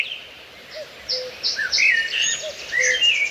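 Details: Outdoor birdsong amid trees and plants, with high clipped chirps, slurred whistled phrases and occasional low soft notes, several voices overlapping against faint ambient noise.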